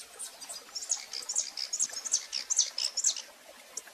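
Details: Recorded live, a female rufous-collared sparrow calling insistently: a steady string of short, piercing high chips, roughly two to three per second, fading out near the end.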